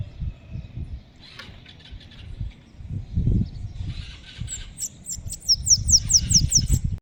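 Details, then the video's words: Bananaquit singing outdoors on a street: a fast series of very high, thin, sibilant notes repeated about eight times over passing traffic rumble and scattered background noise. "dando umas cantadinha na rua #sibite"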